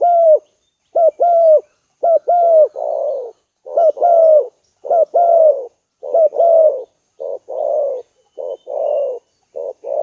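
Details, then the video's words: Repeated low spotted dove coos, hooked introductory notes followed by longer falling, slightly rough notes, in steady phrases separated by short pauses. "Tiếng chim cu gáy cực đỉnh 2018"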